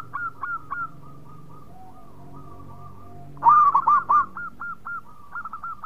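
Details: Zebra dove of a local strain singing eagerly: soft distant hooked coos and a faint humming trill, then a loud close burst of rapid rolling notes followed by a string of clipped looping coos.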